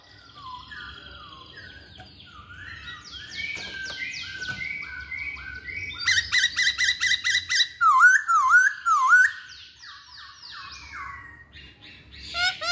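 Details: Long, varied masked laughingthrush song mixing harsh squawky notes, rapid rhythmic clicks and chattering, and clear dipping whistles, over a low background hum.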